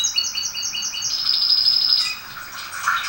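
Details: Domestic canary song used to teach and warm up canaries: high repeated chirped notes in quick series, then a sustained bright trill near the top, ending in lower warbled phrases.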